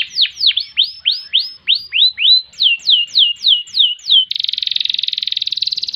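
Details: Canary song for tutoring other birds, in ngerek and ngerol styles: quick upswept whistles repeated several times, a row of downward-sliding notes, then a long, even, buzzy rolling trill lasting almost two seconds.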